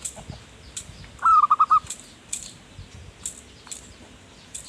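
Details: Zebra dove song used as a lure for wild birds: one short burst of rapid, bubbling coo notes near the middle, with faint ticks and clicks around it.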